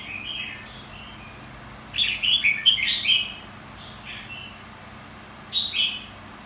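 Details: Red-whiskered bulbul, white-cheeked type, in a training session for competitive song: a soft opening note, then a rich cluster of rapid bubbling whistles, another pause and a final clear phrase.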